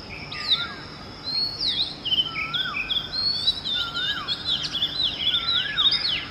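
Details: Oriental magpie-robin (Copsychus saularis) singing in the early morning: a rich, varied run of clear whistled phrases, with sharp up- and down-slurred notes over lower, repeated looping whistles. Steady faint background hiss.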